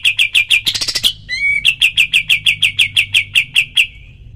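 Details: Cotton pygmy goose in a training recording for other songbirds: a quick series of sharp, high repeated notes, a short louder flurry, a brief pause with a clear whistled note, then the steady rapid series resumes.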